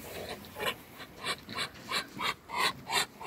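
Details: Three Muscovy ducks on a farm; breathy, hissing huffs repeated about three times a second, growing louder toward the end, with no other clear sounds.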